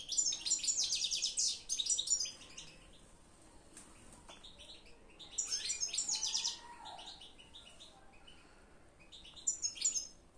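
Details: European goldfinch singing in bursts of fast, high, tinkling twitters and trills lasting one to two seconds, separated by pauses, over a steady low background hum.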